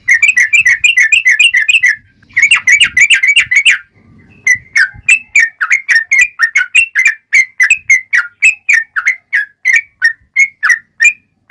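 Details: Yellow-vented bulbul pouring out a long rapid 'ropel' song, used to bait other bulbuls into answering: dense bursts of fast chirps, a brief break near four seconds, then a long even series of whistled notes.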